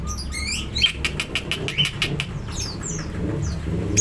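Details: Greater green leafbird in full, hyperactive song, ready to fight: scattered sharp chirps and quick high downslurred sweeps over a steady low background rumble.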